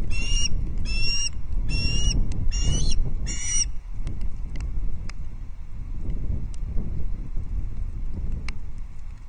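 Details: Loch Arkaig osprey chick on 19 August 2022, begging during a fish feed: five loud, high, ringing squeals in the first few seconds, then only scattered faint chips over low rustling and wind-like noise.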